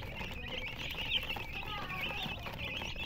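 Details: Chicken chicks with a hen, chirping constantly. Many high, thin peeps overlap in a steady, dense chorus with no pauses.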